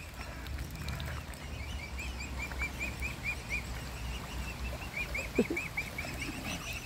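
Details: Mute swan cygnets from a family being hand-fed give a run of thin, high whistled peeps, steady and repeated, over a low rumbling background.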